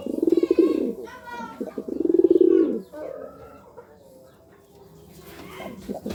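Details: Two strong rolling coos from a courting pigeon, each a dense low throb lasting under a second, with a brief higher nasal call from another bird between them, then quieter coos fading.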